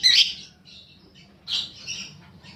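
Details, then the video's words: Lure recording of a young paud fighter lovebird: two harsh, high, rasping squawks about a second and a half apart, each trailing off into a softer scratchy tail. "pancingan burung lovebird paud balibu fighter mp3"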